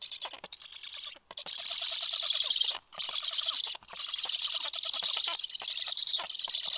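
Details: Black stork male feeding chicks with fish at the nest, morning of 26 July: continuous loud rasping, high-pitched chatter broken by three short silences.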